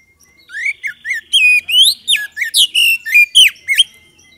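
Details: Lure song of a magpie-robin for prompting other birds to respond: a lively run of clear rising whistles, slurred notes and buzzy trills, loud and continuous.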